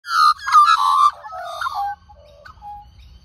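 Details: Australian magpie, one of two females being hand-fed at a local reserve, gives loud warbling, fluted calls with a rich, bubbling quality, fading into softer notes near the end.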